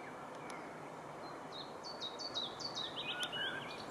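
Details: A mixed-singing Willow Warbler, recorded 16 June 2015, which often starts with Chiffchaff notes; a clear cascade of high, sliding notes falls in pitch over about two seconds against a steady hiss.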